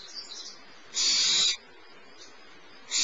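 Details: Youngest barn owl chick fed by the adult female at Starr Ranch, 10:30 am, 6 March 2011; a single loud, noisy screech lasting half a second between softer hissy rasps, with another burst starting at the close.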